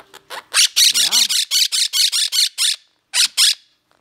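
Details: Captive Monk parakeets give their anxious "freakout" call as a dish of unfamiliar new food is put in, about a dozen harsh, high, grating squawks at roughly five a second, then a short pause and two more.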